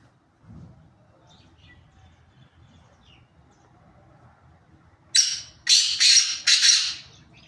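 A black francolin gives a loud, harsh, grating call of three rasping notes in quick succession after a quiet stretch with faint low rumble.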